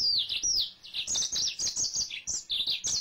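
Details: Male yellow-fronted canary kept as a pet, singing a continuous high warbling song of quick slurred whistles and chirps, with notes sweeping down and back up without pause.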